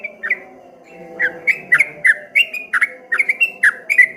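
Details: Streak-eared bulbul singing in a rippling, wave-like style: after a brief opening note and a pause, a quick series of bright downslurred chirps with crisp clicks, about three per second, over a faint hum.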